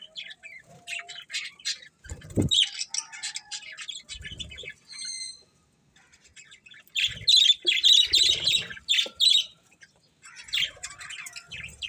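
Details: Budgies twitter in scattered, scratchy phrases; a short run of clear, pure whistled tones stands out, then a louder burst of harsh chatter follows a pause, with a couple of soft knocks.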